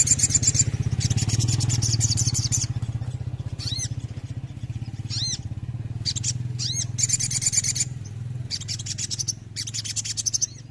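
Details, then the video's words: Sooty-headed bulbul on a songbird therapy track: scattered arched chirps and bursts of buzzy rattling notes, with a steady engine-like drone underneath throughout. "TERAPI SOGON GACOR UNTUK BURUNG KURANG EMOSI"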